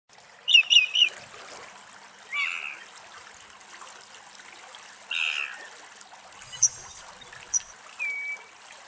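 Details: Whinchat recorded in the wild in Greece, at the place where it was filmed: short bursts of sharp, high chirps, a few clipped ticks and a brief slurred whistle, spread over several seconds above steadily trickling water.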